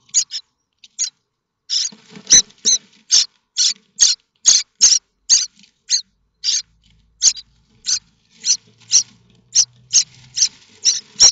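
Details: Harsh begging from common starling nestlings at Théding, France, 7 May 2024, stirred by a sound suggesting a parent with food. A long, irregular series of scratchy high rasps. A faint low hum runs beneath near the end.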